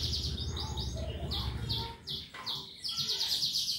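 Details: Canary in lively 'gacor' and 'ngetik' song, played as a lure for other birds: bright, high chattering trills in short runs, with a rapid rattling burst near the end. A faint low hum sits underneath.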